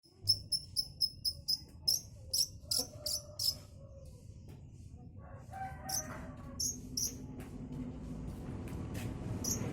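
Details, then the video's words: Young long-tailed shrike learning the Kunti song: a run of sharp, high, clipped notes about twice a second for three and a half seconds, then scattered fainter chattering notes over a steady low rumble. "Burung cendet muda , blajar Kunti"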